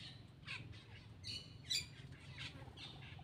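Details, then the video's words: Black-winged myna calling while it feeds: a few scratchy squawks and one sharper, louder shriek near the middle, with a low hum underneath. "cucak Keling bar bar"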